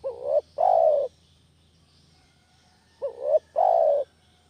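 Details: Village spotted dove call used as a lure for catching doves: two-part phrases, each a short rising coo followed by a longer, throaty, slightly wavering coo, repeated after a pause of about two seconds over a low steady hum.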